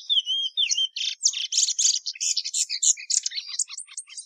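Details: Sporophila plumbea, the plumbeous seedeater, opens with clear slurred whistles and then breaks into a fast, dense chatter of buzzy chirps and trills, high-pitched and unbroken.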